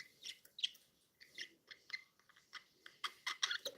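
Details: Several happy pet budgies, quiet, sharp chirps and short twittering notes spaced through a soft warble, growing busier toward the end.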